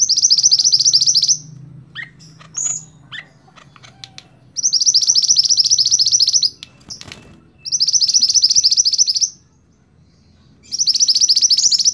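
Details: Scarlet-backed flowerpecker singing as a tutor for songbirds: four loud, high, rapid trills, each over a second long, repeated about every three seconds, with a few sharp, sweeping chips between the first two.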